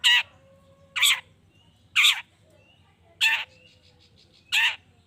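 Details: Long-tailed shrike, recorded as a lure to rouse other shrikes into calling back: five grating, scratchy bursts roughly once a second, separated by quiet gaps holding a faint thin whistle.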